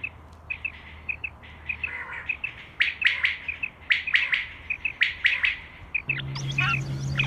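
Short, sharp high chirps in quick uneven clusters from a common quail, about one burst a second; a low hum and rustling noise come in near the end.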